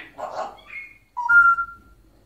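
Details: African grey parrot kept in a cage in Egypt: a brief mumbled, voice-like sound, then a clear, steady whistled note that fades after about half a second.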